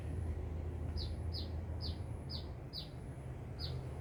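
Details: Active singing sunbird from Binjai: six high, short, downward-slurred chirps spaced roughly every half second, set against a dull low-pitched background hum.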